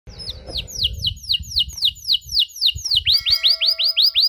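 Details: Canary singing a long, richly ornamented 'cengkok mewah' song, used to teach young canaries: a rapid run of high descending whistled notes, about two per second, then quicker upslurred notes over a steady tone, with low rumbling background noise.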